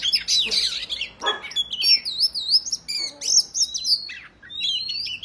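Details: Oriental magpie-robin fighting song that incites other males to fan their tails. Loud, rich whistles, wavering warbled notes and long sliding tones are interrupted by a couple of short rustling or knocking noises.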